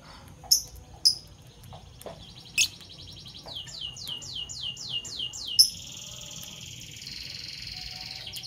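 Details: Morning chirping of pet Fischer's lovebirds in parblue violet and parblue turquoise colours: sharp isolated squeaks, then a fast series of about eight rising, repeated chirps running into a sustained high buzzy trill.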